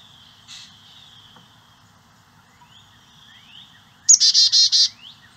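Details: Carolina chickadees feeding their nestlings insect eggs and larvae on a native-plant property in St. Cloud, Osceola County; faint high thin whistles early, then a loud burst of four to five rapid buzzy high notes near the end, over quiet background.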